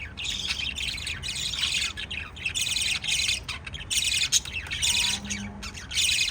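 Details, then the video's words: Pet lovebirds feeding their chicks keep up a shrill, buzzy chatter in pulses about half a second long, with short quiet breaks between them. "LOVE BIRDS CHIRPING sounds"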